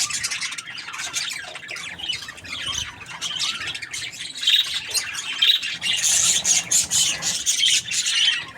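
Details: A happy budgie keeps up long, continuous chatter of buzzy chirps, squawks and short whistles, growing louder and denser toward the end.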